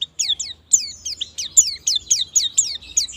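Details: White-eye song used as a lure to get birds singing quickly in ngalas and nembak styles: high, thin, sweeping whistled notes, each falling then rising, repeated about twice a second in a fast, steady string.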